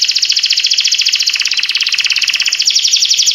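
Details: Canary song made of a single dense, rapid rattling trill held throughout, bright and buzzy, with only a slight change in tone near the end.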